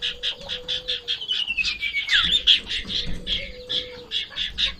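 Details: A sirtu in heightened breeding excitement, which makes it hop about at the sight of a rival or a female, gives rapid, harsh chattering of about five scratchy notes a second, with a thin descending whistle midway and a faint low hum.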